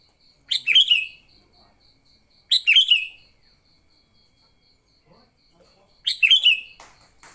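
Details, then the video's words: Sooty-headed bulbul repeating short gurgling fighting phrases, a sound used to lure bulbuls, roughly every two to three seconds, with a constant high ticking pulse and a few soft knocks near the end. "Suara Burung Kutilang Gacor TARUNG Tanpa isian, Ampuh untuk pikat Kutilang jadikan Kutilang ribut."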